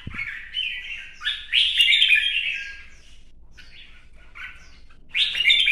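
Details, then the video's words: Vietnamese red-whiskered bulbul in competitive song with display dancing; a few short rising phrases open into a loud, tumbling warble, followed by quieter broken notes and a final strong phrase. "CHÀO MÀO | CB Quạt Mo chiếc áo mới hót đấu múa xòe"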